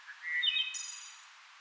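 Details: A wood thrush in Fauquier County in April, during spring migration, sings a short, flute-like phrase: a few clear introductory notes rising into a shimmering, high trill that fades away.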